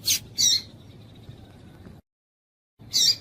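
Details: Female double-collared seedeater calling to stir a male: two rasping chips right at the start, a short dead-silent break, then one more loud buzzy chip at the end.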